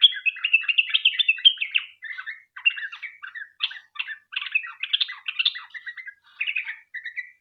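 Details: Sooty-headed bulbul delivering a long-running 'ropel' song meant to lure others into calling: fast, jumbled bursts of bright chirping notes in phrases of one to two seconds, separated by short breaks.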